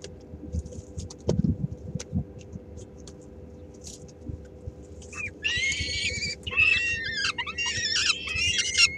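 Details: Peregrine falcons at a nest in Helmond, 13 May 2016, with three-week-old young as the female brings a small morsel that others snatch; bumps and rustling first, then harsh, grating harmonic calls in overlapping bursts over the last few seconds.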